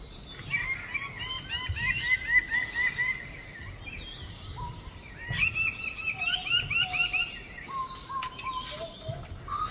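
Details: A lesser bird-of-paradise (Paradisaea minor), endemic to Papua, gives quick runs of bright, chirping notes, then lower clear whistles, over a soft forest hum.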